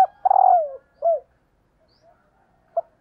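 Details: Female spotted dove giving a call meant to stir up males: a long, rolled, downward-sliding coo followed by a short rounded coo, then a brief clipped note near the end.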